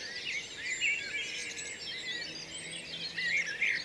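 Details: Birds singing at sunrise by a canal bridge at Marston Lane: a dense, overlapping chorus of high chirps, twitters and brief whistled phrases from many birds at once, with a faint low hum underneath.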